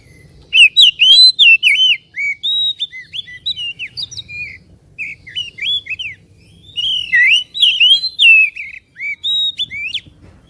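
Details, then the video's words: Oriental magpie-robin singing a lure song to make another bird emotional and fan its tail; long run of sweet, varied whistles and sharp chips in quick bursts, with a brief lull midway. "PANCINGAN SUARA KACER AGAR CEPAT EMOSI DAN BUKA EKOR"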